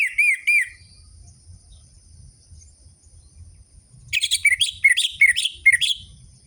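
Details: Orange-headed thrush song meant to prompt caged birds to sing: a short pair of looping whistles, a quiet gap of about three seconds, then a busy, scratchy twittering phrase of mixed chips and slurred whistles.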